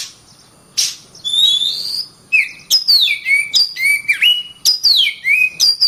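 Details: Oriental magpie-robin pouring out song: a long wavering whistle, then a fast run of loud descending slurred whistles and short flicks.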